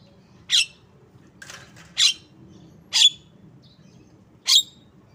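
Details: Javan myna uttering a run of coarse, buzzy notes about once a second, one softer and more scratchy, the louder ones with a thin whistled tone, over faint hum.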